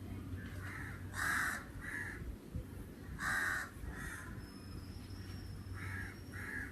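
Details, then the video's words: Crow in summer letting out loud, raspy caws in pairs, a strong burst near the start and another midway, with softer caws closing the stretch over low background hum. "sounds of the Crow"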